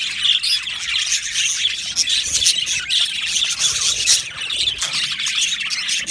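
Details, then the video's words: Aviary colony of budgerigars, with squawky chirps and scratchy warbles layered over one another in a loud, unbroken chatter of many birds. "Beautiful Budgies chirping sounds"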